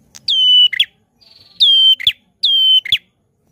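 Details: Prinia singing loudly and persistently: long, steady, high whistled notes, each ending in a short burst of buzzy chips. The phrase repeats three times, with a softer, rapid trill between the first and second phrases.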